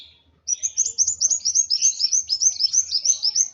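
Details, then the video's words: High, rapid chirps from an excited kolibri wulung sunbird, starting abruptly after a short silence and continuing as an even, bouncing series. "Burung Kolibri Wulung Emosi Sampai ke Ubun Ubun.."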